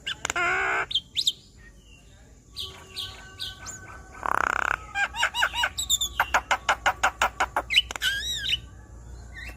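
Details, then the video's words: A Javan myna sings a 'gacor' song intended to encourage a stressed bird to sing. A harsh noisy burst and scattered whistles lead into a rapid rhythmic chatter of sharp notes and looping whistles. "Terapi Jalak Kebo Stres Agar Cepat Gacor Dengan Kicauan Jalak Kebo Makun gacor Bongkar Isian"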